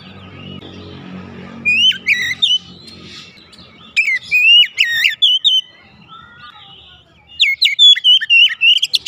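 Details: Caged Oriental magpie-robin kept at home, played to encourage a quiet bird to sing: loud whistled song phrases with quick upslurs and downslurs in three separate bursts, with a faint low hum early on.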